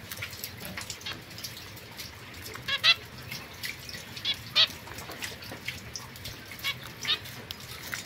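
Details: Caged young pair of zebra finches, white female and mosaic male, 22 September 2024: short nasal beeps scattered irregularly across the clip, two strongest, amid constant clicking and scratching noises.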